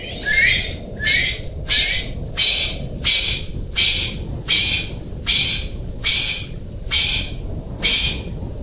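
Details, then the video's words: Golden pheasant giving harsh, raspy calls in a steady series of eleven, roughly one every 0.8 seconds, several opening with a short rising squeal, over a constant low hiss. "Golden Pheasant Calling Sound"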